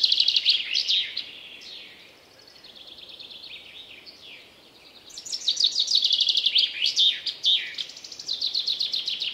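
Common chaffinch song: bright, high, rapid trills of descending notes, repeated in loud bursts with quieter twittering between.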